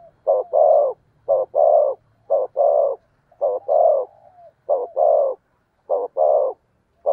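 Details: Spotted dove lure recording to call in wild birds: rapid repeated coo phrases, each a quick short note followed by a longer throaty one, about a phrase every second, clean and close.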